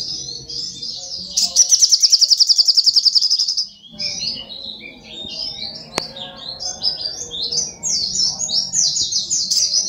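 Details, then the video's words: Brown-throated sunbird, called sogok ontong, singing actively as a small vocal master bird: a fast, buzzy rattling trill of rapid repeated notes, then a long run of high, thin, jumbled twittering phrases with soft background hum. "SUARA BURUNG SOGOK ONTONG GACOR SI KECIL SANG GURU VOCAL"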